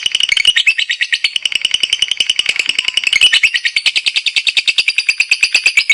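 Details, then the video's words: Active competition lovebird delivering a long ngekek: grating, rapid chatter notes strung into an unbroken trill, growing steadier and more even in the second half. "LOVEBIRD NGEKEK DAN NGETIK AKTIF"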